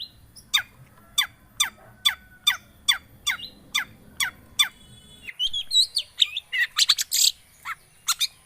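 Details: Long-tailed shrike lure recording, played to get a silent bird singing: a fast run of sharp, downward-sweeping notes about twice a second, then a burst of varied, higher chattering and squeaky notes.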